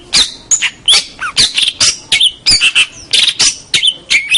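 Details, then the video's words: Local champion long-tailed shrike in a tutor recording for songbirds: dense, busy singing of high chirps, whistled slides and rasping chatters, several notes each second with almost no pauses. "Kicau Masteran Cendet Master Pentet Juara Cendet Lokal Oke"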